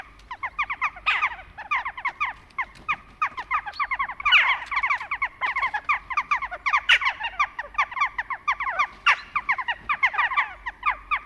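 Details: Western jackdaws in autumn, a dense chorus of short, sharp downward 'tchak' calls from many birds overlapping almost continuously, with brief louder bursts every few seconds.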